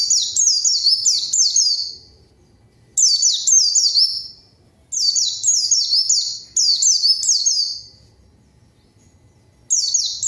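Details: Zosterops (pleci) song as a lure to call rivals and get silent birds singing; loud bursts of high, rapidly repeated descending chirps, each run about two seconds, separated by clear silences.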